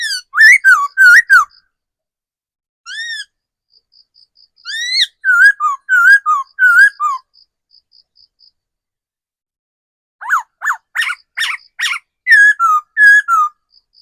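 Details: Forest-matured decoy laughingthrush in extended song: clusters of quick slurred whistles broken by pauses, a lone arched note, and later a rapid burst of steep sharp notes leading into descending whistles.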